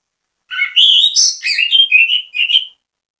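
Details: Orange-headed thrush (anis kembang) giving bait song that encourages other birds to join in: fluid run of whistled, warbling notes stepping up and down, about two seconds of continuous loud phrasing.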